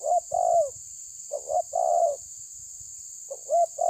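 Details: A spotted dove pressures a rival with repeated phrases of two clipped notes and a long, mellow, downward-sliding coo, accompanied by a faint low rumble and an unbroken high hiss.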